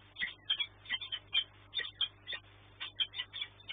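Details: Peregrine falcons at a nest site in Płock, calling at night during a food delivery on 13 March 2024. Sharp, high, chipping calls come in quick bursts of two or three, repeated throughout, with a steady low hum underneath.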